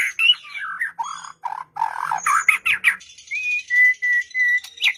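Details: White-rumped shama singing, a song used to coax a silent bird into song: rich mid-pitched warbled phrases, then clear sustained whistles repeated about every half second, with sharp high chips between.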